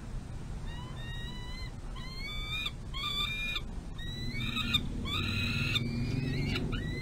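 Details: Peregrine falcon eyass fed by an adult female on the runway outside a nest box, spring 2022. Thin, upward-sliding whining calls grow to louder, fuller wails in a ragged series.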